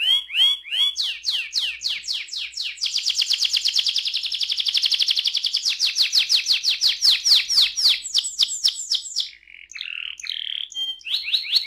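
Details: Canary rolling song used to encourage other canaries to sing, with swooping notes leading into a long rapid rattling trill and then varied chirped phrases, loud and clear.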